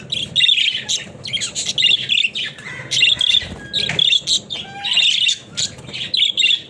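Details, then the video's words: Pet budgerigars, billed as talking budgies: rapid scratchy warbles and chirps in clustered bursts, occasional short clear whistled notes, soft low rustling beneath. "Funny Talking Budgies"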